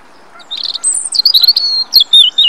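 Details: A European robin sings a fast, tumbling phrase of high, thin whistles and trills sliding up and down, at Rombergpark, Dortmund, on 27 March 2013.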